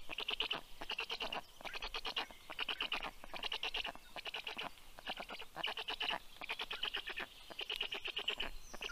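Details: Black stork nest in Karula National Park, Estonia, 6:06 am on 19 June 2023, female arriving with breakfast for the chicks; regular rattling bursts of rapid pulses, each about half a second, separated by short pauses.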